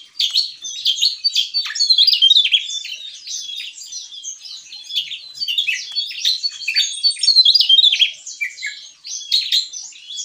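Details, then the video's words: Javan tesia singing gacor ngeplong, a non-stop energetic outpouring: dense, high twittering and sharp chirps tumbling over each other, with loudest stretches near 2 and 7–8 seconds. "Burung TESIA JAWA Gacor Ngeplong"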